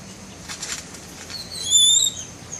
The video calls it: Paradise bird makes camera sounds